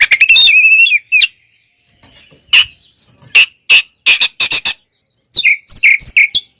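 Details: Oriental magpie-robin in fighting mood with tail spread, singing to provoke other magpie-robins: a loud opening warble of harmonic whistled notes, a pause, then sharp isolated chips and a burst of rapid clipped notes, ending in short whistled phrases.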